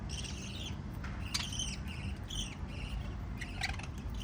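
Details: Chirping lovebirds, five birds together: rapid, sharp, twittering notes in little clusters, some sliding downward, with a faint steady hum underneath.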